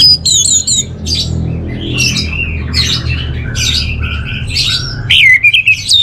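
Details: Orange-headed thrush kept as a songbird in Bali, delivering a varied, busy song of quick chirps, buzzy notes and sharp rising whistles, ending in a burst of loud repeated notes, with a low hum behind.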